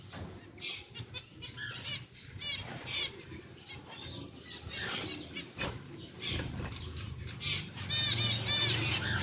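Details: A captive pair of pied zebra finches, being moved to a larger, better cage. Short nasal chirps in irregular clusters come about twice per second, with a low hum and rustling underneath.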